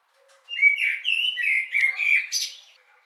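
A common blackbird sings one mellow, fluted warbling phrase that ends in a higher, squeaky twitter, lasting about two seconds, with no other sounds.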